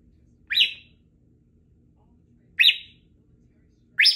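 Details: Female Congo African grey parrot, three years old, living in a country home, practising words and sounds; short rising whistled chirps repeated about every two seconds over a low background hum.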